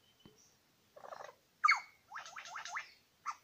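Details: One of two male superb lyrebirds met at Lookout Point, New England National Park, Australia, heard at a distance: soft trilled bursts, a sharp clear whistle, then a buzzy descending series of rapid notes.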